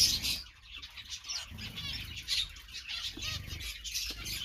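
Zebra finches chatter with high, buzzy chirps and nasal beeps in a busy, overlapping stream.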